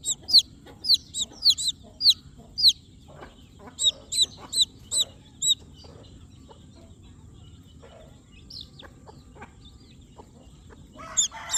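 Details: Newborn chicks giving high, sharp peep notes in quick uneven series for the first half. The calls then fade to sparse, fainter chirps over a soft background hiss, and a louder peep returns at the very end.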